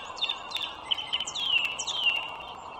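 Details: Wild bald eagle at its nest beside the Dulles Greenway in northern Virginia, morning of 21 March 2023, giving high, thin chirps that slide downward, several in quick succession, over a constant background hum.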